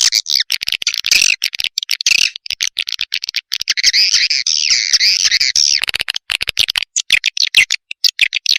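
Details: Swiftlet lure call meant to draw in swiftlets: dense, high twittering chatter with sharp clicks, a sustained warbling stretch in the middle, then scattered clicks again.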